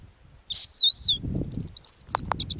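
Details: At its ground nest in the Arctic, a female snowy owl gives one wavering, high whistled scream of around half a second, followed by faint clicks and brief thin ticking sounds.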